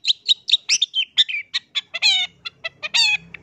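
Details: Long-tailed shrike lure song to set off other shrikes: quick, repeated high chirps followed by harsh, nasal, squawking notes, with faint low background noise.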